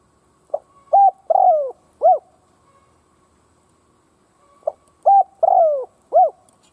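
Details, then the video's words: A decoy spotted dove coos to stir wild doves into answering. Two complete phrases about four seconds apart: a clipped note, a flat coo, a drawn-out descending coo, then a rising-falling closing note. A thin constant tone sits underneath. "Chim cu gáy kích bổi nghe là gáy"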